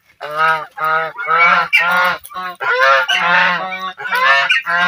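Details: Geese playing in water, giving loud, nasal, harmonic honks in a near-continuous run of overlapping calls, several birds calling over one another with brief gaps.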